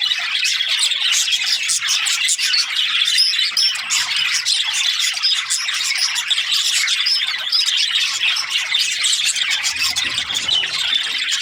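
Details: Australian budgies in a busy chorus: constant overlapping squawks, chirps and warbling from many birds throughout, loudness staying even.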